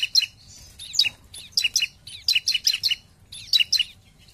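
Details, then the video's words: Bar-winged prinia lure song with 'nembak' shots: quick runs of bright, ringing high chirps in pairs and short series, with brief gaps between phrases. "Pancingan Ciblek Paling Dicari ! Lawan Langsung Gacor"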